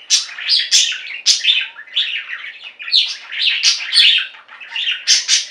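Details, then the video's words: Budgerigars in a pet singing flock, indoors, giving a dense chatter of quick chirps and warbling squeaky notes, many short bursts overlapping with barely a pause. "Most Beautiful Budgie songs Ever: Budgies singing and chirping"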